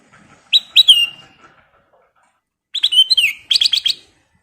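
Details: Golden-coloured sooty-headed bulbul in persistent song: two clear phrases of bright, liquid whistled notes, some dipping downward, ending in a quick run of rapid chirps, separated by two seconds of silence.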